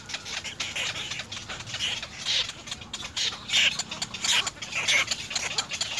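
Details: Begging little egret chicks at their nest call to parents for food with repeated harsh, hoarse squawks between scattered dry clicks and some rustling.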